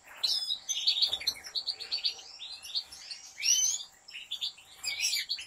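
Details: Caged European goldfinch kept by professional breeders, singing a long slaka-style song: dense, rapid twittering with tinkling, buzzy and whistled notes, bright and continuous, with brief pauses and louder bursts near the middle and end.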